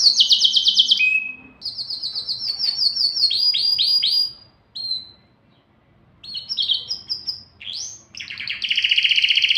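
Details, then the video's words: Canary singing in an excited state to stimulate males and females for mating: rapid high trills and buzzy rolls in varied phrases, with short pauses between bursts and a faint low hum beneath. "تغريد كناري لتهييج الذكور والاناث"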